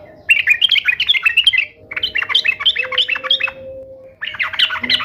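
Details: Lively sooty-headed bulbul song for drawing replies from pet bulbuls: three bursts of rapid, bouncing chirps that rise and fall, each about one and a half seconds long, with a faint steady hum underneath.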